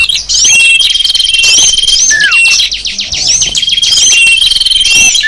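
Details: Small birds in a sapu jagat lure for drawing wild small birds, giving rapid pulsing ticks, long thin high whistles, scattered upswept chirps and one clear downward slur.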